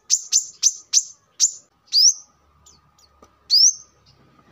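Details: Brown-throated sunbird (kolibri kelapa), used as a lure and training song model: five quick, piercing high notes in a row, followed by two longer rising, sweeping chirps after pauses, with a faint steady tone in the background.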